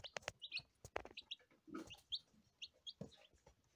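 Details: Day-old lavender Ameraucana chicks: short, high peeps in quick scattered bursts, mixed with sharp clicks and soft thumps of movement close by.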